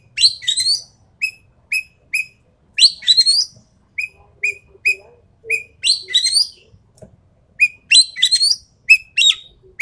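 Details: Sumatran treepie, an endemic bird, in a recording used as a lure and training song: clear whistled notes repeated about once a second, alternating with harsh, buzzy rising bursts, in a quiet background.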